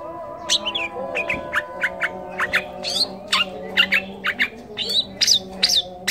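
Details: Long-tailed shrike (cendet or pented), a songbird-training recording full of mimicked calls such as kolibri, trucukan, lakbet and canary: a rapid series of short, sharp, high chips and squeaky notes, irregularly spaced, over a steady low hum.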